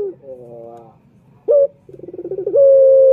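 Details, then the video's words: Male turtle dove call used to lure other males: soft harmonic coo, a short loud burst, then a quick run of pulsing notes rising into a long, steady, level coo. "Pancingan Puter Jantan"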